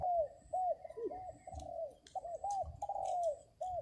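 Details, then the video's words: Spotted dove decoy calling to lure wild males, 2022. Quieter, more distant run of overlapping low coo notes, some arched and some drawn out, with high thin chirps of small birds above. "CHIM CU GÁY MỒI ĐẤT KÍCH BỔI CỰC SUNG"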